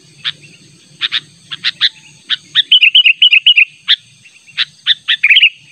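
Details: Sooty-headed bulbul calling persistently toward a rival: spaced sharp chips leading into a rapid rolling series of bubbly notes, then more chips, over a faint high hum.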